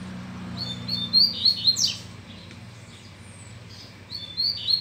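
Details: Loose double-collared seedeater back in form, stimulated by a female: two bursts of clear high whistles with rough downward-swept notes, a quiet gap between, low hum underneath.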